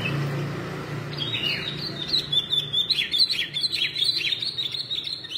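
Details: Yellow-vented red-whiskered bulbul in a singing contest, singing fiercely all day: a lively stream of clear, rising and falling whistled notes, jumbled and continuous for several seconds, over a low background hum.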